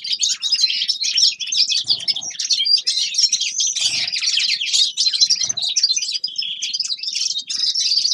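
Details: Forest birds in winter keep up a long, dense twitter of rapid high chirps and warbled trills. A few soft low knocks are heard in the middle.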